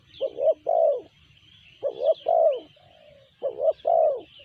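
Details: Three clear coo phrases from a spotted dove with a sanji voice, each two brief rising hoots leading into a longer low note, repeated at a regular pace, faint bird chirps behind.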